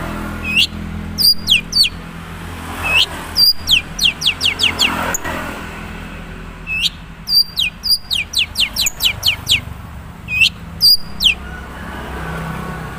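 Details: Long-tailed shrike of the Madura type, its natural song with little mimicked content yet: bursts of clear, sharply down-slurred whistles in quick runs of four to eight notes, separated by short pauses.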